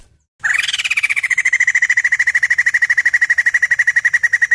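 White-crested laughingthrush giving a rapid, even rattle of about ten notes a second, opening with a brief higher rising note, then holding one steady mid pitch.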